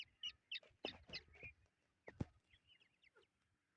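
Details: Young chukar partridges peeping: short, sharp, high chirps repeated irregularly, mixed with low thuds and scraping knocks, then a few softer twittering notes near the end.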